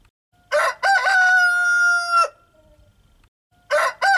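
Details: Cock-a-doodle-doo from a rooster: brief broken opening syllables, then a long, level, ringing note that ends abruptly, followed after a short silence by the beginning of another crow.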